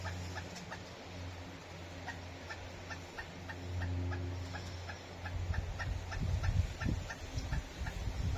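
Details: A Pileated Woodpecker in Palm Coast, Flagler County, Florida, calls loudly, perhaps complaining about a tree with no bugs. It gives a long, steady series of loud, clipped kuk notes, about three a second, over a deep low rumble of wind or traffic.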